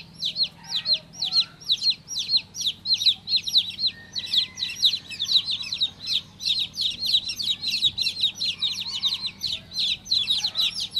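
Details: Newly hatched chicken chick peeping steadily, high thin notes sweeping down, repeated about twice a second and growing denser toward the end; low hum faintly present.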